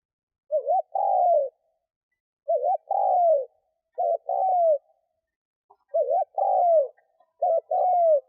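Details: Decoy spotted dove cooing to lure wild doves: five low two-part phrases, a short wavering note then a longer falling coo, spaced unevenly about every one and a half to two seconds in quiet surroundings.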